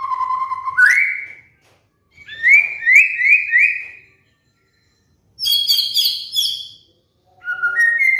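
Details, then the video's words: White-rumped shama song, a training lure for moulting pet birds: a low whistle leaps upward, a run of rapid repeated rising notes follows, then high bright chattering phrases and a final rising whistle. "PANCINGAN MURAI BATU | MASTERAN BURUNG MABUNG"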